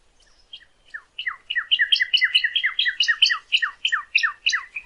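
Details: Northern cardinal singing, offered as a model for captive birds learning song: after a few soft scattered notes, a rapid string of around thirteen loud, downward-slurred whistles builds in strength and runs to the end.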